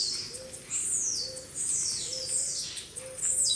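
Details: Double-collared seedeater in a naturalistic aviary at São Carlos Zoo, São Paulo, Brazil: very high, buzzy phrases sweeping down in pitch about once a second, over a faint, low, steady note that also recurs regularly.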